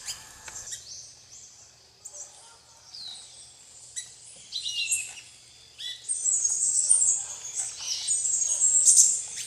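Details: Plain parakeets (Brotogeris tirica) eating bananas alongside tanagers at RPPN Santuário Rã-bugio, Guaramirim, Santa Catarina, Brazil: shrill high chattering screeches, sparse at first, then building into a dense overlapping flock chatter over a faint background hum.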